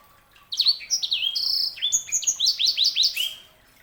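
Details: Sanger, a canary hybrid, singing a quick run of clear whistled notes, many sliding downward, delivered in a rapid, slightly uneven series of about a dozen phrases over three seconds, with a faint low hum behind.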